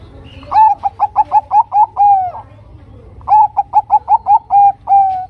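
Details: Lure song from a Bangkok perkutut zebra dove, used to draw other zebra doves into singing: two matching phrases, each about eight fast, bright, staccato coos finishing in a long even note.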